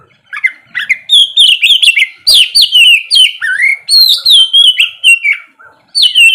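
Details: Morning ngeplong song of an oriental magpie-robin, played to coax lazy birds into singing: a near-continuous run of loud, clear whistles, each note sliding downward, with quick chirps between phrases.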